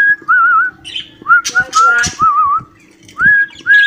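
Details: Cockatiel whistling an imitation of the tune "Johny Johny Yes Papa": wavering, trilled whistled phrases rising and falling, broken by a short harsh burst mid-phrase, then resuming with steady tones.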